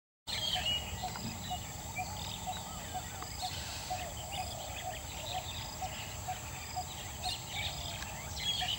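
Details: A coppersmith barbet calls from the top of a Leucaena tree on Sunday evening, 31 August 2014: a steady series of low, hollow 'tuk' notes, two or three a second, over a busy hiss of insects and other birds.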